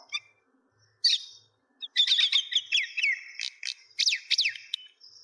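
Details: Myna in Kulaura, Bangladesh, giving scattered chirps that build into a dense run of sharp, downward-sliding whistles and clipped notes, with brief silences between bursts.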